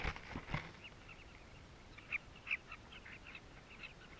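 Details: Nesting colony of southern carmine bee-eaters in South Luangwa, recorded close up by a hidden camera: a few low knocks at first, then clear, rapid, high chirps, some doubled, from several birds.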